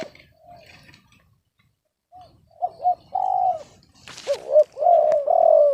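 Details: Spotted dove described as off-key rather than big-voiced: soft opening notes, then short double hiccups and a long coo, a sharp knock, and a second louder phrase ending in two drawn, wavering coos.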